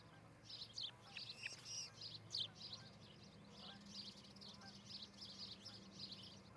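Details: Osprey at a Charlo, Montana nest, filmed by a nest cam in July 2018 around eight in the morning; rapid, slightly buzzy high chirps run on continuously, briefly louder at the start, with low hum.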